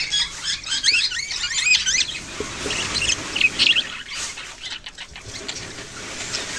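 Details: Budgerigar chatter including young birds: rapid wavering chirps and warbled trills early, then sparser scattered chirps and squeaks with quieter gaps.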